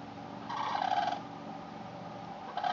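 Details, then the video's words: Cranes calling in a backyard, September 8, 2013: a drawn-out rolling, trumpeting call lasting about half a second, then quiet hiss and the start of another call at the end. "Cranes in the backyard"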